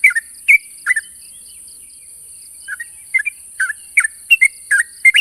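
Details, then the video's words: Sooty-headed bulbul calling out to a rival: a few chirped notes, a pause of about a second and a half, then quicker paired chirps, over a persistent high hiss. "suara burung trucuk memanggil lawan"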